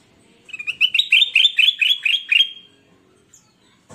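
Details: Golden bulbul in full, frequent song, kept as a training recording for newly acquired caged birds that sing little: around nine loud, upslurred chirping notes delivered in a quick rhythmic burst, then silence.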